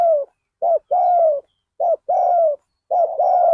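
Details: At Ban Nong Hin, a spotted dove used as a decoy for wild doves gives loud, close cooing: three phrases, each a clipped note followed by a drawn-out, slightly falling coo.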